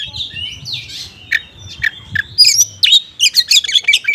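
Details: Oriental magpie-robin in konslet style using small-bird material as a lure for unresponsive magpie-robins; soft warbled and buzzy notes at first, then a long thin whistle and a quick series of loud bright chips near the end.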